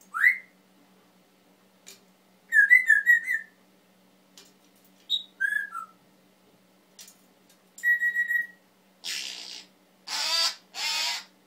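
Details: Male pet Timneh African grey parrot indoors, mimicking words and sounds: rising whistles, warbled trilling phrases, falling whistled notes, then coarse breathy coughing-like squawks near the end, over a steady low hum.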